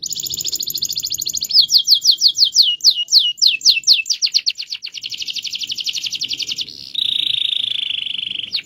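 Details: Canary kept as a master song bird delivering a long rolling song: rapid repeated downward-sweeping notes, then a fast buzzing trill, then a lower steady rattling roll near the end.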